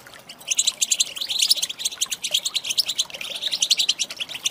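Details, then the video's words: Female European goldfinch calling to stir males into song: dense, rapid high twittering of quick metallic chirps running nearly without pause, with brief louder bursts throughout. "صوت طائر الحسون الإناث"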